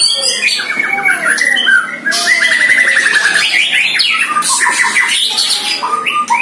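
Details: Two White-rumped shamas duel in song as a one-year-old bird trains for the first time against a neighbour's bird: rapid strings of clear whistles and slurred notes, repeated trills and sharp high accents, continuous and crowded.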